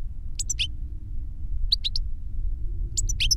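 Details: Goldfinch, an older bird singing to teach a younger one: three brief groups of high, thin chirping notes spaced about a second apart, with a low continuous hum throughout.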